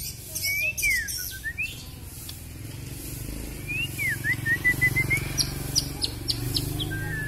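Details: White-rumped shama (murai batu), a very long-tailed Kalimantan-type bird, pouring out varied song with fill phrases: swooping whistled slurs, a rising and falling run of notes, and quick clicking bursts over a steady low hum. A man remarks on the long tail.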